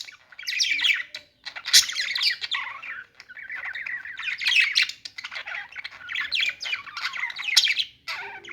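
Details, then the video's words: Budgerigars warble steadily, scratchy chirps and squawks tumbling over one another with brief breaks between runs. "budgies singing | budgie sounds | parakeet chirping sounds"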